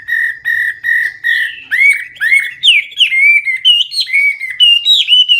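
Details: Loud, clear Hwamei (wambi) song in gacor full isian style: four steady, evenly spaced whistled notes open it, then rising and falling slurred phrases climb gradually higher.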